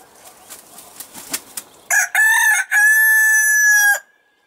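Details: Marans rooster crowing: a loud harmonic cock-a-doodle-doo of two short opening notes and a long sustained final note, about two seconds, preceded by soft clucks and rustling.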